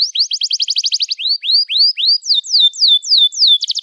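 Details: Spirited canary song meant to restart canaries that have stopped singing: a quick trill, three slow rising slurs, a series of descending sweeps, and a final rapid trill.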